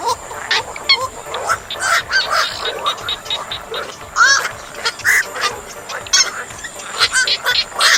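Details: Calls of a black-crowned night heron, played as a lure for netting birds: a rapid series of harsh, honking, croaky notes with buzzy overtones, crowded together over a constant hiss.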